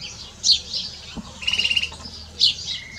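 A canary-goldfinch hybrid sings bright, high twittering notes, with a quick buzzy trill of about eight pulses in the middle and sharp chirps before and after.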